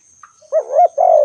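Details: Spotted dove call with a tiny soft note before it, then a two-part coo: a swelling, wavering first note and a longer falling second note, ending abruptly; faint steady whine throughout.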